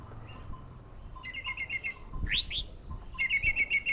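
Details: Orange-headed thrush song: rapid repeated chirping trills, a loud rising sweep of whistled notes in the middle, then another quick even string of bright chips.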